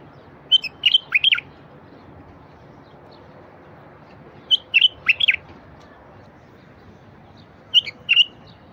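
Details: Bulbul song aimed at rousing quiet wild bulbuls: sweet, sharply slurred whistled notes in phrases of four to five, with a brief softer note between phrases and steady faint hiss.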